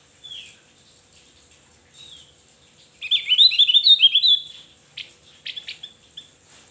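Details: Vigorous song of a Javan grey-throated white-eye: a short high note, then a dense, quick run of warbling twitters for about one and a half seconds, followed by several clipped chips.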